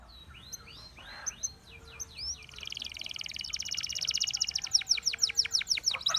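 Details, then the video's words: Russian singing canary song meant to attract other canaries: high sweeping whistled notes at first, building into loud, fast, buzzy rolling trills that grow steadily louder toward the end. "A Special Canary to Seduce All The Canaries - The Russian Singing Canary"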